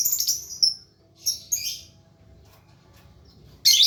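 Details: Lovebird practising ngekek, its long trill. A few sharp, high squeaks and a short descending whistle are separated by a silent stretch, and a harsh burst comes at the end.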